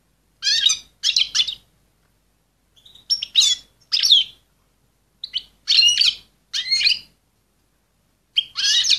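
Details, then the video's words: A female goldfinch, excited, calls to get males ready for breeding. Paired chirpy twitters and sharp tinkling notes arrive in irregular groups separated by pauses of a second or more. "صوت أنثى الحسون الهائجة لتجهيز الذكور في وقت قياسي"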